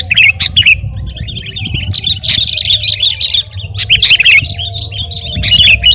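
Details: Sooty-headed bulbul in active song as a lure and training sound: bright chirps at the start, then a rambling twittering passage and more quick squeaky notes.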